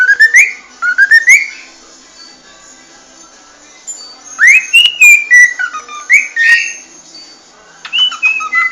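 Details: Cockatiel song of rising whistles in quick pairs, a pause of about two seconds, then a longer phrase of upslurred and falling whistled notes, some slightly buzzy.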